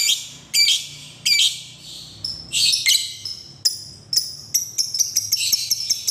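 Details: Lovebird calling as a lure to get other lovebirds singing and learning the ngekek trill: loud, sharp, high chirps and short rattling bursts in quick irregular sequence, with brief trilled phrases.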